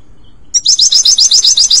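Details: European goldfinch song meant for training a pet bird, a brisk, regular string of about ten bright, high twittering notes per second, starting suddenly after a brief silence.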